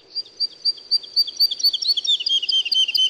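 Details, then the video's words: Woodlark singing a rapid, somewhat irregular stream of short, high, sweet notes that bounce between two pitch levels. Faint low background hiss. "Как поет лесной Жаворонок"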